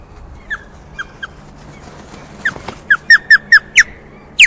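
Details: Osprey at a nest on a Scottish loch webcam, alarm calling after chasing off an intruder: sharp, high, downslurred whistled yelps, sparse at first, then a quick run of six loud calls and a final shrill note.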